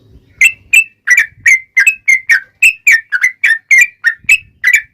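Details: Long 'ropel' chatter of a yellow-vented bulbul, a lure for other bulbuls to answer: a steady string of about fifteen sharp whistled notes, each a quick upslurred chirp, evenly paced over five seconds.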